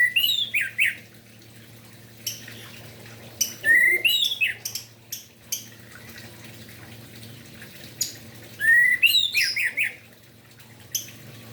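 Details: Morning gacor song of an orange-headed thrush used to spur lazy thrushes to sing: irregular bursts of swooping whistles and chatter among loud clicking taps, with quieter stretches between phrases.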